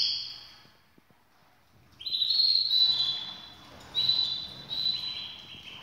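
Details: Canaries ready for breeding give high sustained trills and rolling phrases, a brief pause then bursts of bright warbling at two seconds and again near four seconds, clear over quiet background.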